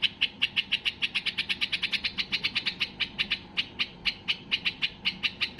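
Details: Rapid, rhythmic chipping from a highly excited white-eared bulbul, about five sharp bright notes per second, kept up almost without pause to goad other bulbuls into song.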